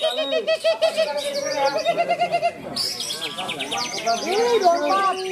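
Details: A greater green leafbird, the class-winning bird at a songbird contest in Malinau, North Kalimantan, sings a rapid, varied run of bright whistles and chattering trills, with other contest birds singing over it and crowd noise behind.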